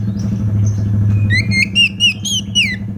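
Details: Kacer (Oriental magpie-robin) song used as a lure for untrained birds: after a pause, a short run of loud, slurred whistled notes, partly masked by a steady low droning hum.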